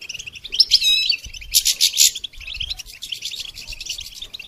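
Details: Goldfinch singing for songbird training, a rapid high-pitched twitter opening with a rising whistled figure, then two loud buzzy rasps, followed by softer continuous chirping.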